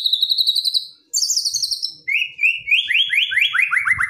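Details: White-rumped shama giving aggressive, burst-filled song to provoke a quiet bird: high rapid trills, then a series of repeated descending whistled slurs about four per second, growing louder and faster.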